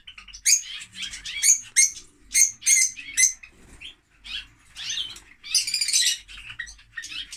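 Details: Lovebirds chattering: a quick run of sharp, high squeaky chirps and clicks in uneven bursts, growing into a harsher, buzzy burst of noisy notes near the end.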